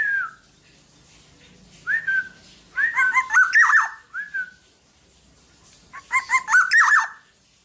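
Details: Vigorously singing Black-naped oriole, recorded to teach other birds: short mellow whistles lead into two bursts of liquid, warbling fluty phrases, each phrase cluster followed by a pause, repeated about every three seconds.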